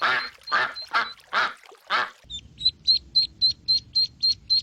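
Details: Five loud, rasping duck quacks on a pond, spaced about half a second apart, then a run of thin, high, evenly repeated peeping notes over a low background rumble.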